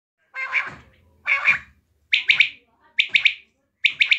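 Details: Quail calling in a repeated pattern: two harsher, broader notes open, then sharp three-note bursts, each a quick high chip-chip-chip, come about once a second with brief silences between phrases.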